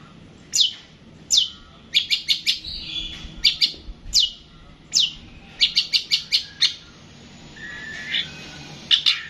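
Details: Long-tailed shrike delivering sharp descending chips and rapid clipped note series in a lively sequence, with a soft rising whistle near the end.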